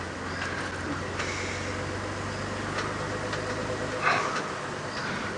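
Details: Idling vehicle engine with a steady low hum and broadband rumble during an early-morning drive, no animal calls heard.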